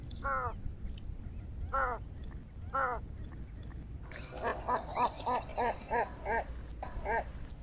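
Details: American white ibis with a few separate nasal honks, followed by a rapid, stuttering run of about eight grunting honks in quick succession, against low background rumble.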